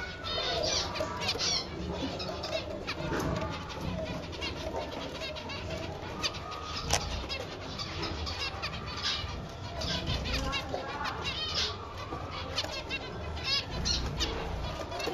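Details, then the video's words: A pair of snow white zebra finches (white mutation) gives a busy stream of short, high chirps and nasal beeps, with soft flapping and a low background rumble throughout. "Snow White Finch Pair"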